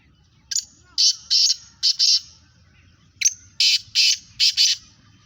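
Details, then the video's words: Black francolins in a calling contest: two harsh, grating phrases of about five clipped, buzzy notes each, the second starting roughly 2.7 seconds after the first, over a faint low rumble. "Speeder Kala Teetar Kaly Teetaron ka Muqabla Kala Teetar ki Awaz"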